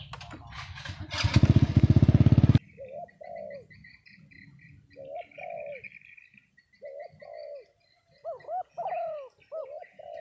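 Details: Spotted doves at a cooing-dove gathering in Đồng Tháp, Vietnam: a loud engine roar fills the first seconds, then breaks off, leaving short, mellow, low coos in scattered bursts, with faint chirping higher up.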